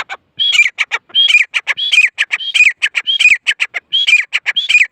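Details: Female grey francolin calling: loud phrases, each a whistled note that dips downward, followed by a run of sharp clicking notes, repeated steadily about every second, with a clean quiet background.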